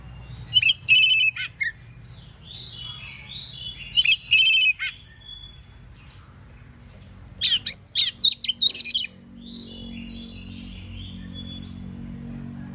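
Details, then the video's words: Oriental magpie-robin singing on a morning to make other magpie-robins reply; three separate bursts of loud, ringing whistles mixed with harsh chips, spaced several seconds apart, with soft background twitters and a low hum. "KACER gacor NGEPLONG di pagi hari BUAT KACER lain NYAUT"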